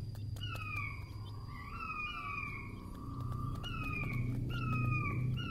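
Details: King quail lure call for trapping quail: fainter whistles sliding down then levelling off, repeated in a loose series over a steady low hum.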